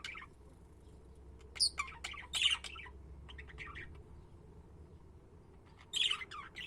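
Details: Budgies giving sharp, scratchy squawks and short chirps in scattered clusters, a few loud shrill bursts standing out, with quiet gaps between them and a low steady hum beneath.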